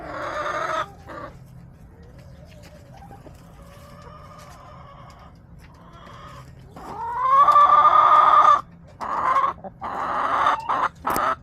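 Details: Hens and roosters in a backyard flock, March 30, 2024. Soft scattered clucks lead into a loud, long, sustained, rising call held for over a second. Further loud, rough bursts of calling follow, over a steady low hum.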